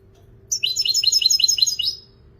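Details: European goldfinch singing a bright burst of rapid, liquid twittering notes, each a quick downward-sliding chirp repeated about ten times in under two seconds, with a faint steady low hum behind.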